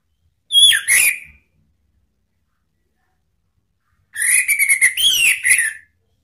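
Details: Orange-headed thrush used to provoke rival birds, a short pair of swooping whistles, then after a three-second pause a longer phrase of rapid chattering notes rising and falling.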